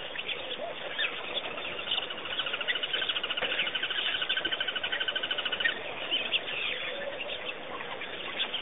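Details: Bird chorus at Pete's Pond, Botswana, Africa, where a fast, even, pulsed chatter builds in the middle and runs for several seconds above a bed of scattered chirps and soft background noise.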